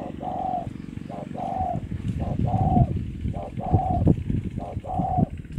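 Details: A spotted dove from coastal Ca Mau coos in hollow, mid-pitched coos in quick pairs and triplets, roughly one a second, over a steady low rumble.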